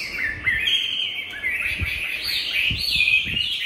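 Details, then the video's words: Competition-singing tame Chinese hwamei in Hà Nội pours out a continuous, rich warbled song of sliding whistles and quick trills, varied and unbroken throughout, with soft low knocking sounds in the background. "Mi thuần hót đấu"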